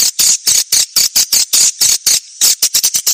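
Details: Swiftlet attraction call from a 1972 lure recording. A steady train of harsh, high, buzzy chirps repeats about three times a second, then speeds into quicker clicks near the end.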